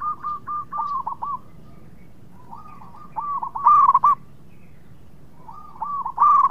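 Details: Zebra dove of local stock in full song, used as a lure to provoke quick replies from rivals: groups of rapid hooked coos separated by pauses, with louder ringing bursts around four and six seconds.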